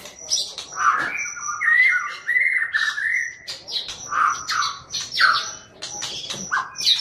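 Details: White-rumped shama song in a loud, rapid chattering style: rich whistled phrases mixed with harsh squawky notes and high thin whistles, delivered continuously with short gaps.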